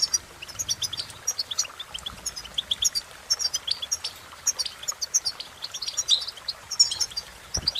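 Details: Cheerful twittering song of a European goldfinch, quick high chirps and tinkling notes strung together almost nonstop, softer in places, with a short low knock near the end.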